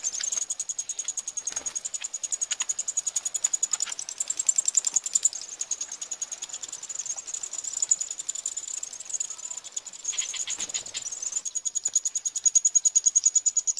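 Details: Eurasian wryneck chicks begging while being fed, Pribytki, Russia, 2 July 2018. A long, very high, pulsed rasping buzz runs steadily at about three pulses a second, with brief louder clicks and rustles.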